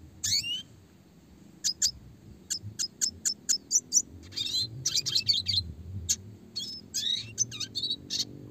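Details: Red siskin song, classic style for training fighter songbirds, clear voice with rolls: scattered high sharp chirps, then an evenly spaced run of clicks, followed by denser twittered phrases over low background rumble.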